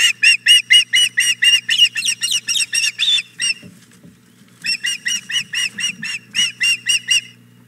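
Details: Hog Island Boathouse osprey female, morning of 4 May 2017, demanding the fish her mate delivered. Strong run of shrill chirping whistles, a brief pause of quiet, then the rapid chirps resume at about four per second, with steady low hum beneath.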